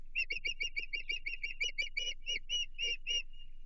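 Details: Osprey at a Chesapeake nest on 15 June 2023, reacting to an intruder after a bluefish arrives: a rapid run of sharp, whistled chirps, about three per second, evenly spaced at first, then slowing and fading near the end.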